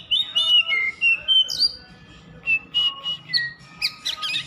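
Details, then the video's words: Continuous song of an Oriental magpie-robin: slurred whistles gliding up and down, a rising sweep, then a string of short clipped notes and scratchy chirps. "Suara kacer_kicau mania yang sllu bunyi gak mau berhenti."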